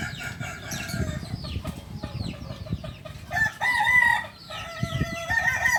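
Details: Kokok Balenggek rooster, a native village chicken of Solok, West Sumatra, Indonesia, prized for its multi-tiered crow; several clucks and short calls lead into loud, wavering stepped crow segments with gaps, amid low rumbling background noise.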